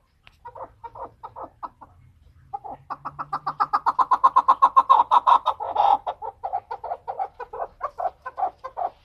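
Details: Chukar partridge giving a rhythmic series of hoarse chuk notes that starts sparse, then builds into a steady, louder run of about two or three notes per second before loosening again.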